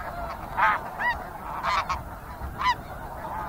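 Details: Snow geese call from a flock in scattered loud honks, single and in quick pairs, with quieter geese murmuring behind and a low background hiss.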